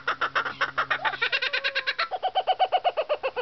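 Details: Kookaburra kept in an enclosure at a refuge in Deeping St James, reacting to a passer-by it feels threatened by: a rapid, steady run of loud cackling notes, about four a second, shifting lower toward the end.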